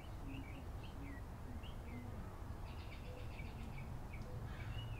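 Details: In a backyard, several birds sing quick looping whistles and chirps, with a lower cooing phrase repeating underneath, heard against a constant low hum of background noise.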